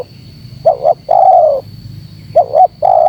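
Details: Spotted dove lure call. A clipped two-part coo is followed by a sustained mellow coo, twice, against a soft background rumble and a steady high hum.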